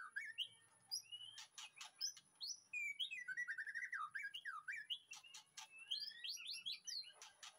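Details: Backyard aviary white-rumped shama, recorded in the afternoon as master song for training: winding, slurred whistled warbles alternating with sharp clattering clicks, delivered as a fast, varied, run-on phrase.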